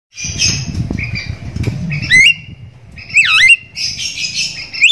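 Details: Javan myna call used as a lure to get silent mynas calling: harsh rasping squawks, then loud sharp whistles that sweep down and back up, repeated twice over a low background rumble.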